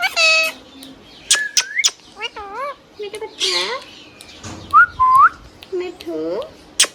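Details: Hand-tame green parrot mixing talking with whistles: harmonic speech-like syllables, clear rising whistled notes, clicks and a short raspy burst, delivered in separated phrases.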